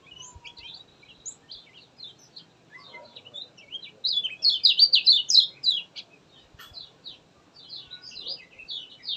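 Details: Lemon-bellied white-eye (kecial kuning) delivering gacor song meant to spur reluctant birds into singing: soft scattered chips build into a loud, fast burst of high, zigzagging twitters, then ease back to quieter chirping.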